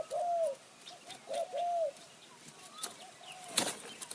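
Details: Decoy spotted dove calling to attract wild doves in high forest at Kanchanaburi, Thailand. Two clear cooing phrases, each a short note then a drawn-out falling coo, open the recording before fading into quieter distant coos and a sharp rustle.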